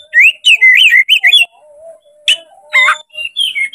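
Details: Provoked to fight by a tail-spreading rival, a white-rumped shama (kacer) delivers rapid warbling whistles that wave up and down, then scattered harsh bursts, over a steady low hum.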